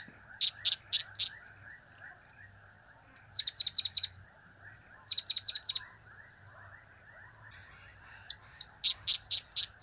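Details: Blue-crowned hanging parrot in loud, rapid bursts of four to six high, ringing chips, in cap, kiak and crap call styles, repeated every few seconds with thin whistles in between.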